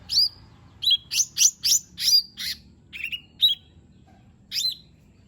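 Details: Lesser green leafbird singing, played as a lure to get a lazy bird to sing: a rapid cluster of bright, high chirps and downslurred whistles, then a few spaced notes after a pause.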